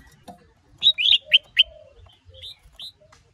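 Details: Male red-whiskered bulbul roused by a female sings a fast burst of four bright whistled notes followed by two softer, thinner whistles, 'sổ bọng' and 'ché' style singing.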